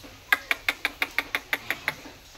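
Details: A bonded pair of rosy-faced lovebirds, taken from the aviary to a breeding cage, gives a quick run of about ten sharp, shrill chirps, roughly six a second, each clipped and even, over a faint steady hiss.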